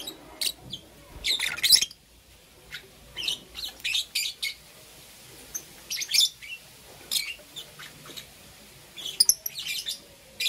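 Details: Two green opaline lovebirds chirping in the morning, giving a steady stream of piercing, scratchy high notes in short clustered bursts, with a harsh loud squawk near the start and a short pause after it.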